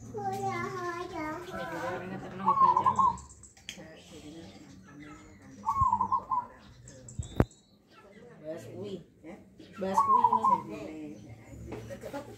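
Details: Hand-raised, tame caged zebra dove about a year old, performing its big, bass-heavy nggayer song: three short trilled cooing phrases spaced roughly four seconds apart, with people talking quietly between them.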